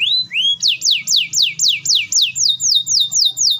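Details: Energetic canary in full song, a long close rapid roll used to get other canaries singing; two rising whistles lead into a steady run of sweeping downslurred notes, about four per second, ending in flatter clipped notes.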